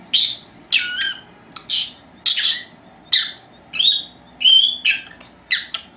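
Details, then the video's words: Two young female lovebirds, four months old, indoors during their siesta; steady series of shrill chirps and squawks, one clear whistled note near the middle, roughly every half second. "Mis dos hembritas Agapornis, haciendo la siesta"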